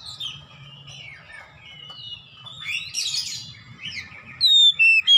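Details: Oriental magpie-robin, locally kacer, in 'ngeplong gacor' song for training birds at home: soft wavering whistles and a rough buzzy burst, ending with loud clear ringing notes repeated quickly, over a low hum.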